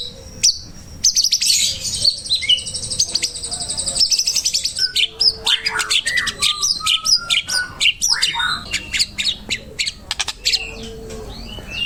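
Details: White-rumped shama song for training other birds: a long, varied outpouring of high trills, chatters and slurred whistles, about four notes a second, with irregular rhythm and brief gaps.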